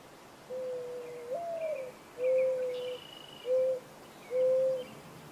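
A mourning dove gives its low, mournful cooing: a drawn-out first note that swells upward, then three soft, even hoots about a second apart. Faint background chatter underneath.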